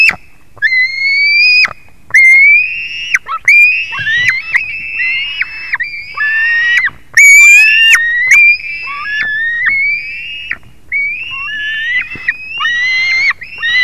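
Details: White-tailed eagle recorded at 22:10 on 21 July 2019: a long sequence of piercing whistled squeals, each sliding slightly upward then breaking off abruptly, broken by short harsh crackling bursts and brief pauses.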